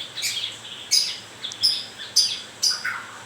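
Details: White-rumped shama in moult producing sharp high clicks and short buzzy high notes, repeated roughly every half second, with faint soft whistles between.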